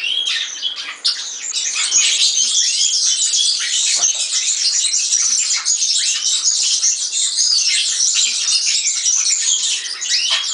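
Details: Singing European serin delivers an unbroken, rapid, high jingle of squeaky notes and buzzy trills, steady and bright from start to finish.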